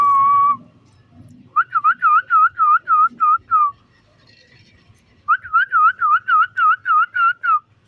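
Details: Green pet parrot, playful with its owner, produces two runs of quick, bouncing whistled notes, around eight to ten each, every note sliding up and down, after a brief steady whistle at the start.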